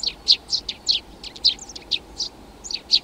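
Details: Rapid series of high chirps from a Eurasian tree sparrow, several notes per second, some rising and some falling, in a quiet setting.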